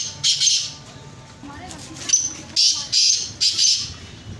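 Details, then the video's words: A black francolin in Pakistan gives a harsh, grating phrase of about five raspy notes, the last three coming quickly in a rhythmic run, over a faint low background hum. "Kala_teetar_Awaz || Black_Francolin_voice"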